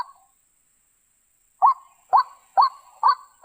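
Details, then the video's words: A white-breasted waterhen call played as a trapping lure: after a near-silent second and a half, four loud, harsh kru-ak notes follow each other roughly every half second. "suara burung ruak ruak paling mantap 100%"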